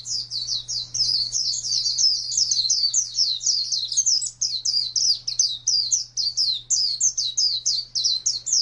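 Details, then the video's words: Oriental white-eye pouring out ngalas wild-type song as a nonstop rapid twittering of bright high notes, fluttering up and down, over a faint constant low hum. "Suara Burung Pleci Ngalas Burung Kacamata Durasi Panjang"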